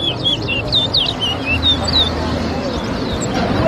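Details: Towa towa whistling at a bird whistling competition at Better Hope bird ground, Guyana: a fast run of high, thin, sliding whistled notes, then quieter, over steady crowd murmur and background noise.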